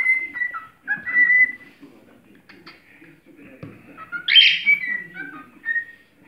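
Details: A cockatiel serenading a plastic bottle sings a warbling string of whistled notes, some flat and some sliding up and down.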